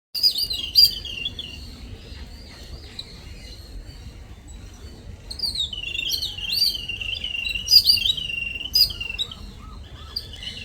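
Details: Little birds arriving as morning visitors give high, thin chirps and twittering trills in bursts, with quieter chatter between and a faint low background hum.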